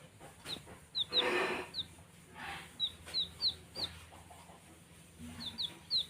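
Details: Playing baby chicks peep in high, falling notes, some single and some in quick clusters, mixed with soft rustling bursts and a faint low hum.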